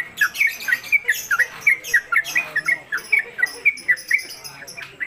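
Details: Trucuk, a newcomer bird kept at home, delivering quick ropelan singing: bright, clipped whistles in an uneven run with short rising and falling slurs, with faint room noise behind.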